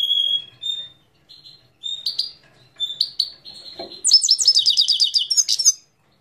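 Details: Song of a Himalayan goldfinch, Parachinar: clear high whistles and sliding notes at first, then a loud, fast run of tinkling, stacked trilled notes lasting about two seconds before falling silent.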